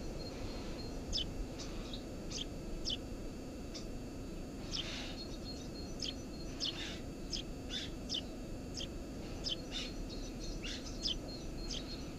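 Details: At its nest beneath a house roof, a Eurasian tree sparrow gives a busy series of sharp, high chirps, many in quick pairs, almost continuous over twelve seconds, with a constant low hum behind.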